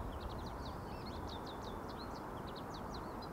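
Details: American goldfinch singing: a rapid, lively run of short, high twittering and slurred notes that continues through the whole stretch, set against a steady low rumbling background noise.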